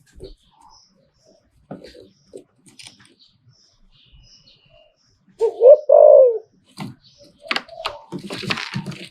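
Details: ['Zebra dove giving one liu tan style phrase of short coos and a long wavering coo, preceded by scattered clicks and followed by clattering noise.']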